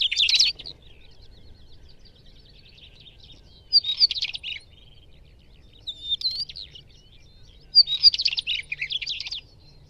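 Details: Northern wheatear singing short, scratchy, crackling phrases in bursts of about half a second to a second, separated by pauses of roughly two seconds, with faint thin notes between phrases.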